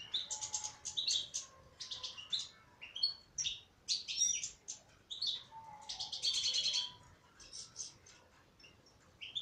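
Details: Female European goldfinch in full song, a fast, nearly continuous run of high liquid twitters, buzzy trills and tinkling chirps, with very short breaks between bursts throughout.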